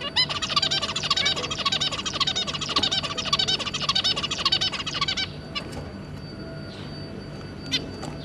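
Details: Zebra finch family with three juveniles, recorded 2 August 2022: rapid stream of short nasal harmonic notes and buzzy elements for about five seconds, then quieter faint calls.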